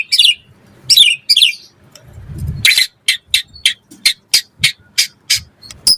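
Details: Murai batu, the white-rumped shama, used as a lure recording: a few scratchy high bursts, a brief low rustle, then a steady series of sharp clicking notes roughly four per second.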